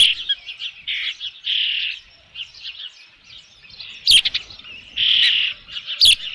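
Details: At the Dunrovin Ranch nest on 3 June 2018, late afternoon, an Osprey with a fish gives high chirping whistles in clusters, including a longer drawn note, with two sharp clicks.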